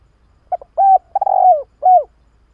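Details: Spotted dove call played to lure doves: two short stuttered notes, then a mellow coo, a long wavering coo and a final softly falling coo, all low and hollow with a quiet background.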